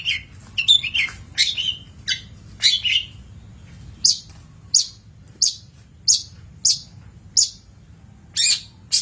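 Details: Long-tailed shrike song on a master recording for training birds, opening with warbled slurred whistles, then settling into evenly spaced, sharp high chips roughly every half second.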